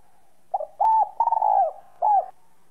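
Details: Song phrase of a whistle-voiced spotted dove played to get other doves cooing: a faint introductory coo, a bright held coo, a long burred falling coo and a final rounded coo.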